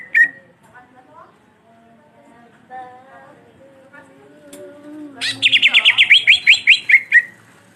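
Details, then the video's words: Long black-beaked cucak ijo, or green leafbird, in energetic rolling song: a single early note, quiet murmuring chirps, then a burst of around a dozen rapid, high, slurred whistles ending on a lower note. "Cucak Ijo Gacor Ngerol Moncong Hitam Panjang Cocok Memancing Emosi"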